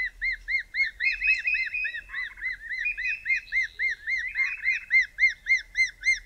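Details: Two wild Spotted thick-knees calling at dusk in mid winter in the southern Karoo: loud, rapid, regular series of arched piping notes, about three or four per second, the two birds overlapping and alternating, with a brief lower note near the middle.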